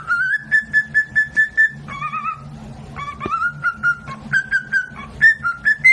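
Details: A talking pet parrot whistling a string of short, clear, evenly spaced notes, about two to three per second, holding mostly one pitch with a few downward steps, over a low background hum.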